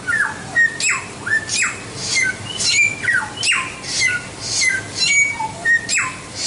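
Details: White-rumped shama song for training songbirds. Deep falling whistled sweeps alternate with short clear notes and rasping high elements, in a lively, steady stream of phrases.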